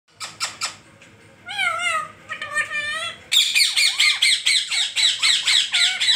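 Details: Talking parrot chirping: a few sharp clicks, then wavering harmonic chirps, followed by a fast run of loud, harsh, downward-hooked squawks repeated about twice per second.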